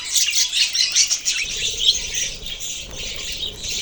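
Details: Several budgies produce a busy wash of high, scratchy chirps and squawks, steady overlapping chatter with faint low rumbling underneath.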